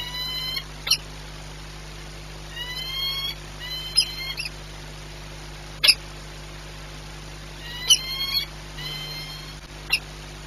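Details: Peregrine falcon at its nest on the Orlen site in Płock, Poland, 18 March 2021, at the start of incubation, frightened by noise: bursts of harsh, stacked calls in short rising series, separated by sharp clicks over steady low hum.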